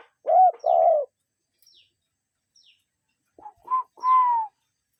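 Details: A cuckoo in nature gives a loud two-note call, a hooked note then a broader one, followed after a pause by a few softer rising notes and a longer, slightly falling whistle.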